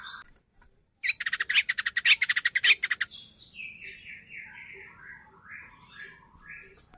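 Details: Song of a white-rumped shama meant to provoke a rival into singing: a sharp burst of a dozen loud rattling clicks, then a softer descending run of buzzy, warbled notes fading away.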